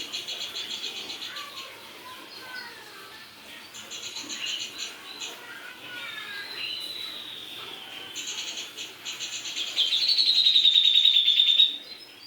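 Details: Grey-cheeked bulbul with long stretches of soft pulsed chatter and a few rising whistles, building to a loud, drawn-out pulsed phrase near the end.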